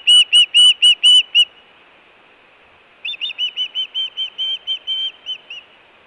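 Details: Osprey at its Hellgate nest in Montana, June 2017, calling for food and giving alert calls: five loud shrill chirps, a pause of over a second, then about ten softer, quicker chirps.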